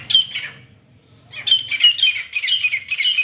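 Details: Grey francolin (teeter) fighting: a short burst of shrill, scratchy notes, a second of near silence with low hum, then a denser run of harsh squealing calls.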